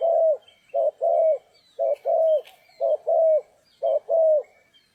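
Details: Spotted dove calling during trapping on a stormy, rainy day: low hollow coos in paired phrases, a short note followed by a longer drawn-out one, repeated about once a second; faint high chirps of other birds behind.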